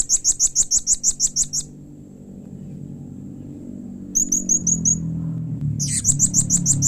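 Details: Blue-crowned hanging parrot calling to get other hanging parrots to reply: long, fast series of high, ringing notes, a short run of softer chips, then another rapid series, over a fairly loud low droning background.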